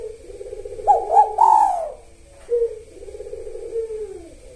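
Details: Spotted dove in 'kuk satu' song, a pre-dawn sahur lure rhythm: stepped rising notes end in a loud, clear, slowly falling coo, followed by a soft burr and a long, low, trembling purr.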